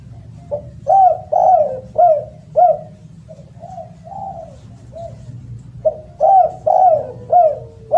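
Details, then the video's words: Loud, melodious calling of a spotted dove: a rhythmic series of short hollow coos, four or five in quick succession, then softer drawn notes before the pattern repeats. "SUARA BURUNG DERKUKU ( suara keras )"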